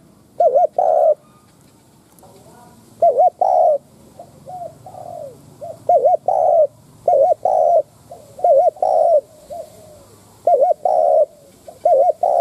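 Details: Spotted dove kept as a lure, cooing to stir wild doves: repeated loud wavering double notes each followed by a held coo, with quieter falling coos between phrases, steady rhythm over a faint low hum.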